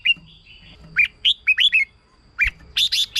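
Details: Song of the red-whiskered bulbul, used to lure or stir up caged birds: a drawn-out warble, then crisp rising and falling whistled notes in a quick cluster, ending with a few harsher, noisier notes.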